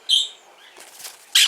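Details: A small, lively sun conure chick that arrived that day and has just eaten its first meal gives a brief high squeak, then a soft rustle, then a loud, harsh rasping screech.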